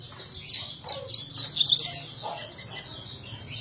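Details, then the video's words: Bush lark kept as a cage bird sings busily: rapid high chirps and short trills, loudest in the middle, with a few lower notes and a steady low hum in the background. "edan suara burung branjangan gacor"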